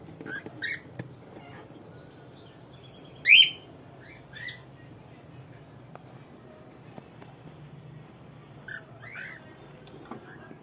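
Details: Cockatoo breeding pair at the nest in an aviary: one loud rising screech stands out among scattered shorter chirps and squawks, with quiet low hum between calls.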